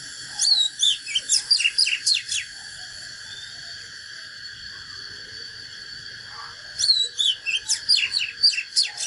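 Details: Oriental magpie-robin giving a natural fighting song: two bursts of rapid, varied whistled notes with sharp downslurs, each lasting about two seconds and separated by a long pause, over a steady high-pitched drone.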